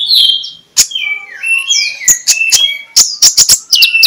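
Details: Magpie-robin singing in the ngeplong style in the morning, used as a lure to get sluggish magpie-robins chattering: clear whistled notes sliding down and up, broken by sharp dry clicks and quick high flourishes.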